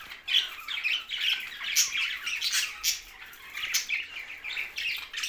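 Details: Budgies squawking and chirping in quick scratchy bursts, several short, sharp peaks each second over a continuous high warbling background.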